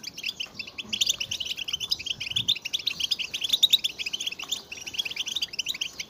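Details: Massed twittering of European goldfinches, given as mating and readiness calls to excite males into singing. Continuous quick, sparkling chirps overlap densely for the whole stretch, building slightly in intensity toward the middle.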